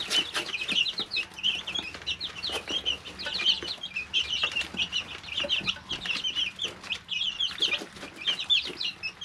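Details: Three-week-old chicks in a brooder produce a nonstop stream of high cheeping calls, many voices overlapping, along with tapping and scratching sounds.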